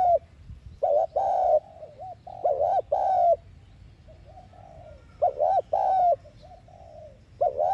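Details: Spotted dove decoy coo for prompting other doves to call: rounded, hollow paired coos with trailing softer notes, three phrases spaced evenly over the stretch.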